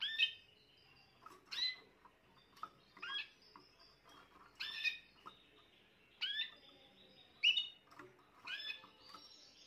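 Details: Spanish Timbrado canary, a young bird hatched this year, heard on 14 June 2023 giving sharp, bright chirped phrases repeated roughly every one and a half seconds, separated by quiet gaps and light tapping clicks.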